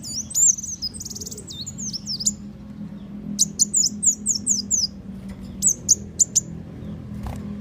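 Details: Sunbird lure call used to draw birds in for catching: high, thin whistled chirps with sharp rising and falling notes, then a quick series of short descending twitters, over a low steady hum.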